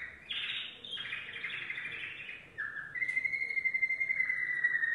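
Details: Yellow domestic canary singing: a continuous run of bright rapid trills and buzzy rolls, then a long steady whistled trill held for two seconds, with no other sounds.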